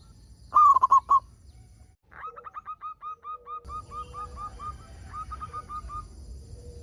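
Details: Local zebra dove singing, meant to prompt other zebra doves to sing: one loud phrase of four quick rolling coos, then a long series of softer clipped coos over a steady low droning hum.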